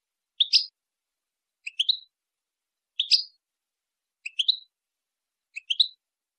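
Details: European goldfinch song phrases for teaching young goldfinches and hybrids: short twittering double notes, high and clean, repeated about every 1.3 seconds against a silent background.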